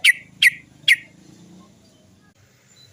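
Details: Sooty-headed bulbul 'cok' lure sound meant to prompt other birds to sing: three quick, sharp, descending chirps at the start, then near silence with a soft low rumble.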